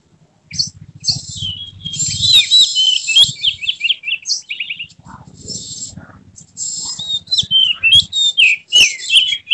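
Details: Oriental magpie-robin in excited display with tail fanned, singing full fills: quick repeated whistled notes, buzzy harsh bursts and warbled runs, over a low hum in the background.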